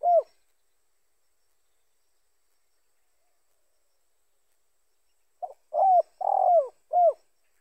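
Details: Spotted dove, a call meant to draw in other doves for trapping: one falling coo at the start, a long silence, then a full phrase of four low mellow notes ending on a dropping coo.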